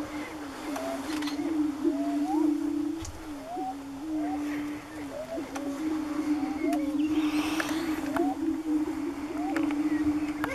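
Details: Several greater prairie-chickens displaying on a lek near Wray, Colorado, in April 2015 give a steady low, hollow moaning drone, overlaid with frequent short rising whoops and cackles from many birds at once.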